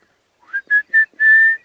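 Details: During an October 15, 2016 sunrise safari drive at Djuma Game Reserve, an Orange-breasted Bush-shrike calls: three short, clear whistled notes in quick succession, then one long, steady whistle on the same mid pitch.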